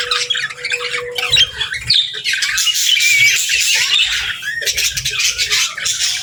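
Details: Budgerigar pairs talk to each other in rapid warbles, squeaky whistles and chirps; a steady low tone runs through the first second, then the chatter thickens and continues.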